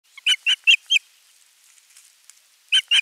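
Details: Osprey at nest camera 3 on 27 June 2022 during a fish delivery to the nest. Four loud, high, sharp whistled calls in quick succession, a short pause, then two more identical notes.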